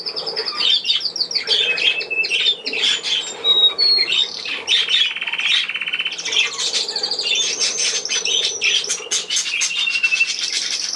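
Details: Lively budgerigar warbling: fast strings of chirps, short whistled slides and harsh rattling notes run together without a break, with sharp clicks near the end.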